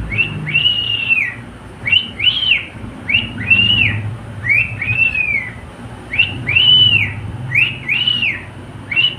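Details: Pet cockatiel whistling a song of repeated arched, slurred notes, each rising then falling, delivered in groups of two about every second with brief gaps; low background hum.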